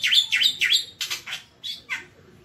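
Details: Masteran of a Javan white starling: three loud dipping whistles in quick succession, then softer buzzy notes and two brief falling chirps.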